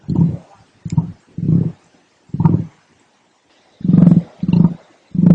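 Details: Emu (Dromaius novaehollandiae), call.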